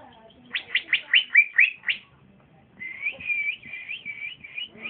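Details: Cucak ijo, or green leafbird, a young trotolan male that already sings well and boldly when paired. A series of loud rising whistles, then a pause, then a wavering high warble.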